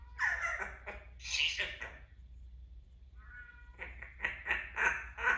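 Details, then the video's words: A male pet Timneh African grey parrot, a little chatty, chatters indoors in short, nasal, meow-like bursts and squawks, with a brief whistled phrase midway. "African grey timnah parrot a little chatty today"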